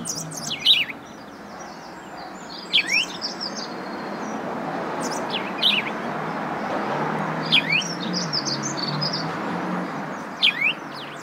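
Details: House sparrow calling with brief clusters of bright, high chirps that sweep sharply up and down, spaced two to three seconds apart against a constant background rumble.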